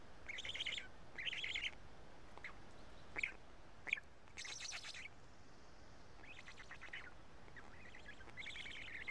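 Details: Black stork nest in Karula, 31 May 2017 at midday, chicks picking pieces from two fish; two raspy bursts early, sharp knocks, then sparser softer rattling phrases with a quiet stretch between.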